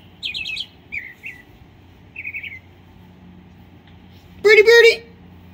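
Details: A Northern mockingbird singing at a home in Delray Beach, Florida, on 7 September 2017, just before Hurricane Irma, gives three brief, varied chirpy phrases, high then slightly lower, over a low hum, before a loud voice-like burst near the end.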